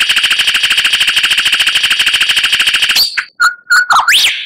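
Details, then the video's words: White-rumped shama masteran used to train captive murai batu: an extended fast rattling trill of repeated notes, then a few short whistled notes and a loud rising swooping whistle. "Masteran Murai Batu Gacor"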